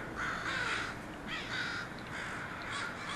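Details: Part of a flock of crows settling at a house calls loudly, with coarse, slightly rising caws repeated unevenly over a steady background hiss.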